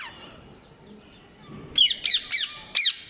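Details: After a quiet opening, rose-ringed parakeets utter four loud, grating screeches in quick succession, each short harsh squawk following the last about a third of a second apart.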